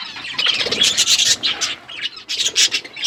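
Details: Pet budgerigars calling while they eat, bursts of harsh high chirps and squawks in quick clusters with brief quieter gaps.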